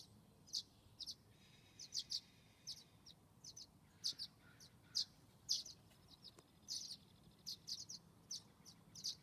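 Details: Violet-green swallows at a nest box with two 19-day-old nestlings, morning, a parent making a quick feeding fly-by: thin, high chips and twitters in short bursts, one or two a second, over a quiet background.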